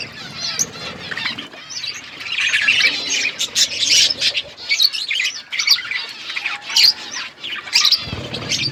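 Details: Pet budgerigars on a winter morning chatter in dense high squawks, chirps and warbled phrases from several birds, with a clunking noise near the end.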